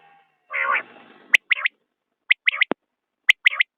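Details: Common quail calling in crisp three-note phrases repeated about once a second, preceded by a brief harsh, noisy burst.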